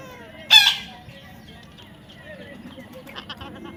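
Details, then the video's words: A baby parrot lets out a single sharp, raspy squawk near the start, then only faint, scattered chirps follow. "natural funny parrot sounds"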